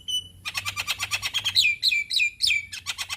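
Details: Javan myna with white eyes singing to draw young birds into song: a thin whistle, then a dense stream of scratchy chattering notes laced with downslurred squeaky whistles, about three per second.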